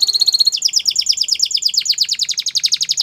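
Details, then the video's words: Canary song with a fast run of bright, evenly repeated high notes that shifts into a series of quick down-slurred chirps, about four or five notes per second, sung continuously. "Your Canary Is Quiet ? Will Sing Again After Listening To This"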